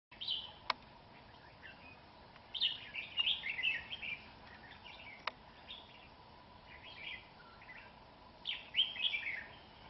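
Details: Red-whiskered bulbul fighting a rival at a trap on a cold, windy day at the start of the cold season: bright chattering phrases in short bursts, quick warbled notes rising and falling, with pauses of about two seconds between bursts and two sharp clicks.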